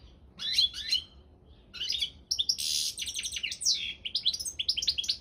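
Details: Goldfinch, Carduelis carduelis balcanica, in a world championship song contest: a few chirps, a pause, then dense twittering with a harsh buzzy burst and tumbling rapid notes.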